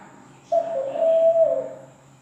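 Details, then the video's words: Zebra dove giving one drawn-out coo, low and smooth, starting abruptly, holding steady for about a second and easing downward at the close. "SUARA PERKUTUT LAINYA"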